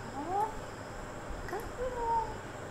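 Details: A pet Congo African grey parrot gives a few smooth, mid-pitched voiced glides, rising then falling, in two short phrases much like meows or spoken words, over a low room hum.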